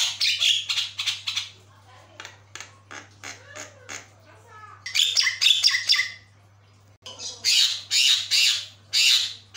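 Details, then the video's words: Javan myna (jalak kebo) in full song, said to set other mynas answering: harsh squawking bursts and chattering notes in rapid clusters with brief pauses between phrases, over a steady low hum. "Gacor banget, jalak kebo maput, suara bikin kagum"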